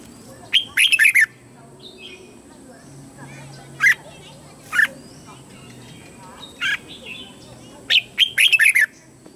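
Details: Red-whiskered bulbul, a lure bird singing to call wild birds in to fight: short bursts of clear warbled notes around two kilohertz, in clustered phrases with gaps of a second or more, over a steady high hiss.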